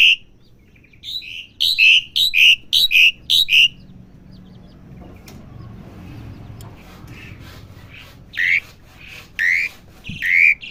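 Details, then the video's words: Young Asian pied starling learning its song: a quick series of short, bright whistled notes about twice a second, a quiet stretch with low hum, then more loud whistled phrases. "jalak suren belajar bunyi"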